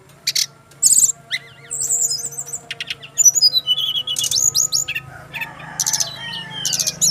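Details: Male brown-chested jungle flycatcher from Bali singing bursts of buzzy chatter mixed with clear whistled slurs and trills. A steady low drone and hum continue throughout.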